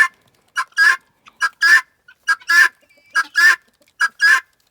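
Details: Helmeted guineafowl (Numida meleagris) hen, in an outdoor enclosure, repeats a harsh two-note call, a short clip then a longer grating note, about once a second, a contented sound while chatting to her owner.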